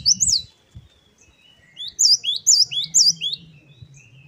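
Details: Great tit song in the wucit-wucit variation: low thuds at first, then a run of about five looping, high, whistled phrases over a soft low hum.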